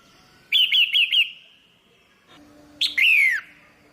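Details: Female red-whiskered bulbul calling to excite a male: a quick run of four bright, slurred chirps, a faint lingering tone, then one loud chirp sliding down into a falling whistle.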